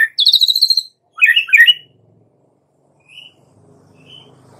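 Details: White-rumped shama, a young bird of forest stock, giving a rapid trilled run of high notes, then a burst of harsh jumbled phrases; two faint thin whistles and low background hum follow.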